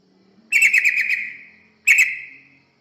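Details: Yellow-vented bulbul lure song used to attract birds. One gurgling, rapidly stuttered phrase of about a second is followed quickly by a shorter, similar burst. Both trail off gradually.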